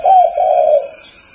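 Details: Spotted dove from Ba Vì, Hanoi, Vietnam, delivering a single loud, smooth coo that slides slightly down and trails off over about a second, over a faint steady hum.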